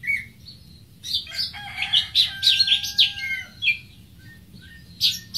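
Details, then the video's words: Greater green leafbird song: a busy cluster of high twittering and chattering notes, while a long, steady, rooster-like crow sounds underneath midway through. "Greater Green Leafbird (Bird Singing 74)"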